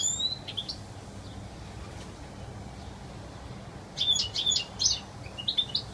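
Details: Wild European goldfinch giving a few scattered twittering notes, then after a quiet stretch a lively burst of bright, rapid chirps and tinkling trills, with soft background noise throughout.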